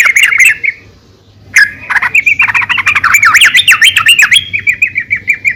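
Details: Yellow-vented bulbul female calling the male, played to encourage bulbuls to sing: a brief chatter, a pause, then a long run of rapid, bubbly, up-and-down notes, about four per second, ending in steady repeated chirps.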